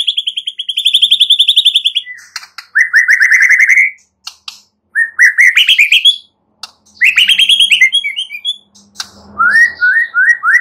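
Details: White-rumped shama singing loudly and richly: rapid rattling trills, runs of quick stacked notes and bright rising whistled phrases, broken by short pauses, with a faint low hum in the background.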